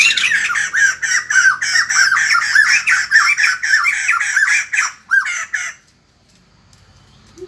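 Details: White-crested laughingthrush greeting the morning with a long, loud cackling chorus of rapid harsh notes, repeated steadily for about six seconds before stopping abruptly into quiet.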